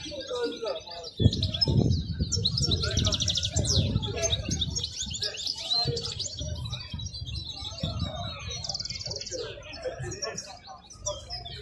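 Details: Wild European goldfinch singing at a bird market in Al-Qurai'a: loud, fast, high twittering with repeated buzzy trill bursts, set against heavy low rumbling, people talking and other small birds chirping.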